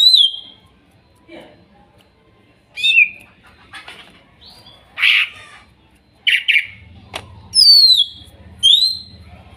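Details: Greater green leafbird, wild birds from Kuningan, singing as therapy audio for a silent bird: scattered whistled slurs and harsh buzzy notes, some falling sweeps near the end, with a low hum underneath.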